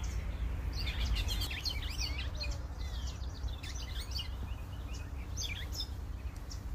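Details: Birds singing at sunrise: a dense chorus of high, overlapping chirps, trills and short whistles from several singers, with a constant low rumble underneath.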